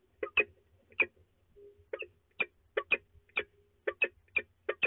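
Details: Male peregrine falcon grumbling at De Mortel, Netherlands, early morning of 3 March 2020: soft, clipped clucking notes, often in quick pairs, repeated roughly every half second, with a faint low hum behind.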